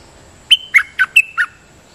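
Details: Decoy song of a sooty-headed bulbul, a champion bird that doubles its phrases: one rapid phrase of five clear, slurred whistled notes, dropping and rising in pitch, over a quiet background.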